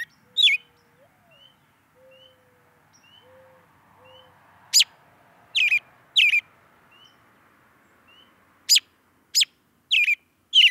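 An American robin gives sharp, high, clipped 'pik' calls, single or in quick pairs, about eight across ten seconds, over faint soft whistles in a quiet background.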